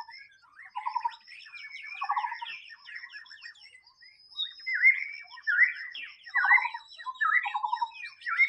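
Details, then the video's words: Wild white-rumped shama song with bursts of rapid buzzy pulsed notes alternating with loud upslurred whistles, steady faint high tone running throughout. "SUARA BURUNG MURAI BATU SUARA ASLI DI ALAM BEBAS"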